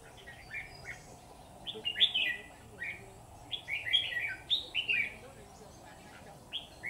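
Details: Red-whiskered bulbul at a bulbul trap, delivering a run of bright, slurred whistled phrases, each about half a second long, repeated in close succession over a steady quiet background.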